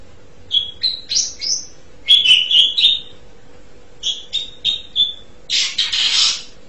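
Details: Asian pied starling with a series of clipped whistled notes, then a quick stuttering run of doubled notes, more spaced whistles, and a final loud harsh rasping burst, over a faint hum.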